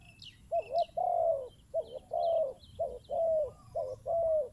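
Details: Spotted dove, a decoy bird, calls in a paired pattern of a short wavering coo and a longer falling croo, repeated about once a second. Faint high chirps from other birds sound early on.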